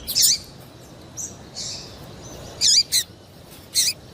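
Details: Female double-collared seedeater call used to warm up males for singing: a few loud, very high chirps with dipping, looping tails, separated by pauses and soft fainter notes.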